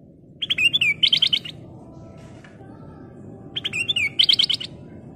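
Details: Black-crested bulbul in lively full song: two bursts of quick, liquid whistled notes, each about a second long with a rising slurred flourish, spaced about three seconds apart over a steady low rumbling background hum.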